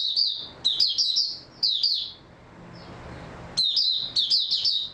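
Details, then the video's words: Singing oriental white-eye, 3 March 2022, after a good sleep: energetic, high-pitched warbled phrases of quick slurred notes, a one-second lull, then another burst of rapid twitters. "Mata Puteh Raja Video 2 buka sing tiong aw"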